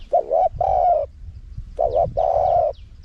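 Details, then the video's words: Spotted dove, small-voiced wild-style singing meant to attract wild doves. Two identical phrases, each a bouncing double-syllable coo followed by a longer flat hollow coo. "เสียงนกเขาใหญ่ คารมป่า (เสียงเล็ก) มีขัด มีหนุน คูอ่าง"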